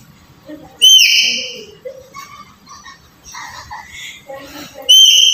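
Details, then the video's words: Black-capped lory calls used to coax a quiet bird: a short, loud, ringing whistle, a stretch of soft varied chirps and chattering notes, then a second bright whistle at the end. "Suara Pendobrak Burung Nuri Malas Bunyi"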